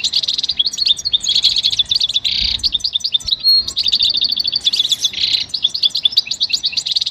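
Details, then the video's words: Goldfinch song used to motivate singing: fast, unbroken tinkling twitter of high trills, buzzy rasps and short whistled notes, repeated in dense phrases throughout. "Enjoy the beauty of the goldfinch and listen to the most beautiful motivational"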